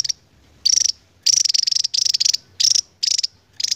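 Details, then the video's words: Endemic Javan tesia with 'ngebren' trilling: short bursts of high, fast pulsed trills, each about a third of a second, repeated in quick succession with brief gaps. "BURUNG NGEBREN PANJANG .....GAK SESUAI POSTUR ..TAPI INILAH TESIA JAWA..ENDEMIK YANG MEMUKAU."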